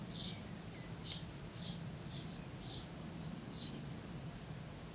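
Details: Common redstart calling at a nest in a barn wall at Llaingyfre on 24 May 2012: about seven bright, high, clipped notes spaced irregularly, a faint lower whistle between them, and a constant low droning hum beneath.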